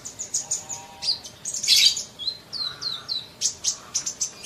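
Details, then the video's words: High chirping of a sunbird in a masteran for fast singing: quick ticking notes, a loud buzzy twitter burst, then a run of short downward-sliding whistles and more ticks. "Masteran Kolibri cepat bunyi!!"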